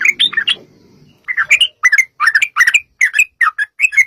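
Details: Yellow-vented bulbul in lively 'gacor' song, played to provoke bulbuls into singing back. A few quick warbled notes, a short gap with faint low rumble, then a steady chain of paired, bubbly whistled phrases.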